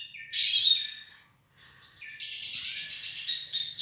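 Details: A pair of caged hooded siskins from northeastern Brazil, one singing a bright, high twittering phrase, breaking off briefly, then resuming with a fast, buzzy, warbled run.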